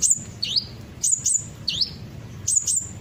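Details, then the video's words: Olive-backed sunbird, a lure sound for getting birds to answer: high piercing chips alternating with dipping V-shaped tweets, roughly one pair every half second. "pancingan suara burung kolibri ninja pasti langsung ikut bunyi"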